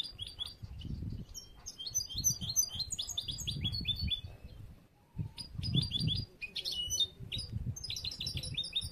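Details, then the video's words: European goldfinch, bruno amarillo mutation, a young bird from this year's last broods whose song is still unfinished and being trained for competition: bursts of quick tinkling trills and chirps, interrupted by a short gap, over low thumping background noise. "un poquito del jilguero nuevo bruno amarillo, aún por hacer."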